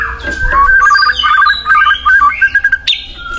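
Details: White-rumped shama in the wild singing energetically: a quick run of repeated two-pitched chirping notes, mid-pitched and fast, ending with a higher sharp note and a lower slur.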